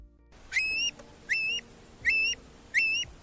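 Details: A long-billed curlew (Numenius americanus) gives four clear whistled calls, each sweeping sharply upward and then holding steady, spaced about three-quarters of a second apart over quiet background.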